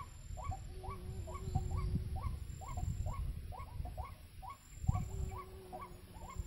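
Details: Wak-wak, the white-breasted waterhen, at a trapping site: repeated hooked nasal notes, about two per second, with a steady hum in parts and a loud knock near the end.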